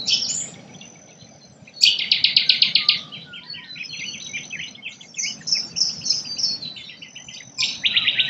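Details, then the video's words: Forest birds in Australia sing in overlapping phrases, with loud pulsed trills of quick repeated notes, bright whistled slurs and high chirps, starting after a short quiet opening. "Australian nature bird sounds | forest birdsong"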